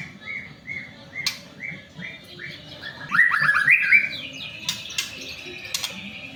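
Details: White-rumped shama song to spur other shamas into singing: a row of short, evenly spaced whistled notes, then a loud, fast, jumbled warble, followed by a thin sustained high tone and occasional sharp ticks.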